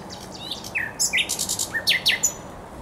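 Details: Thrush nightingale song at the Żerań Canal on 24 April 2022: a varied phrase of down-slurred whistles mixed with sharp broadband clicks, loud and close, delivered in quick succession.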